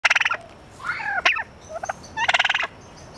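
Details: Turkeys at the San Francisco Zoo gobbling: two rapid rattling bursts of pulsed, harmonic notes, one at the start and one near the end, with softer descending yelps in between.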